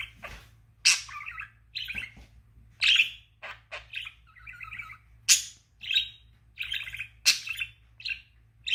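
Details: A pet budgerigar doing a one-leg trick chatters in quick, scratchy chirps and warbles, mostly high-pitched and irregular.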